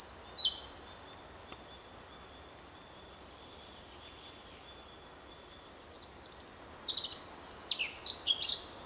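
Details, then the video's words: Singing European robin: a short thin phrase opens, then a long pause before a burst of high, fast, tinkling and sliding notes near the end; quiet background. "Robin singing"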